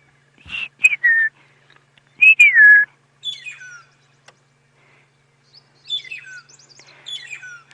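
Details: Magpie shrikes (Urolestes melanoleucus) making a racket on a morning safari drive, 26 September 2016: loud, clear whistles slide downward, two strong ones first, then fainter falling whistles from other birds of the group.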